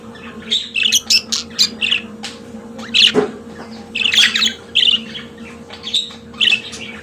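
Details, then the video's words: Pet budgerigar chattering in clusters of scratchy, buzzy notes and sharp squeaks, with a short gap mid-way before the warble resumes, over a low steady hum. "Periquito Australiano de Estimação Cantando Som de Pássaros de Periquitos Naturais"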